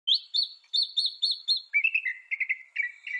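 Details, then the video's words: Northern mockingbird singing: a high whistled phrase repeated six times in quick succession, then a switch to a lower, burry two-note phrase repeated several times. "Veja o canto do pássaro, ave zombeteira"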